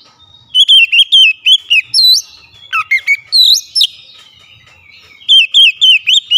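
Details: Singing oriental magpie-robin, beak wide open: runs of evenly spaced, ringing whistled notes, about four a second, broken by a scratchy sweeping burst, then more clear repeated whistles.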